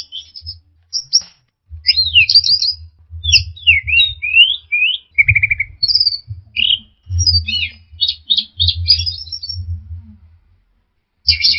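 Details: Varied orange-headed thrush song for training caged birds: sweeping upslurred and downslurred whistles, a low steady whistle, rapid chattered bursts and rattles in quick succession, with steady low rumbling knocks beneath.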